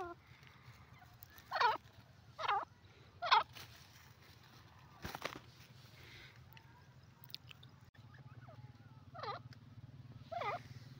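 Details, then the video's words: Grey francolin, locally called teetar, calling: a series of loud, harsh, ringing notes repeated roughly every second, fading after four strong notes, then two fainter ones later, over a steady low hum. "teetar ki voice videos grey pheasant bird awaaz"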